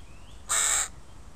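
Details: Crow in a park where a family with young crows lives, giving a single harsh, flat caw lasting under half a second against a quiet background.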